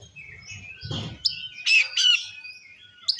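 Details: Oriental magpie-robin singing in the ngeplong style, used to provoke other magpie-robins: a few sharp, high whistled notes and buzzy bursts after a brief low rumbling noise, with a faint steady tone beneath.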